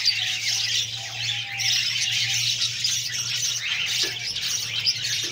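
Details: Budgerigar babies fed by their mother give a constant wheezy, grating stream of high-pitched begging squeaks, with a low steady hum underneath and a brief faint whistle early on.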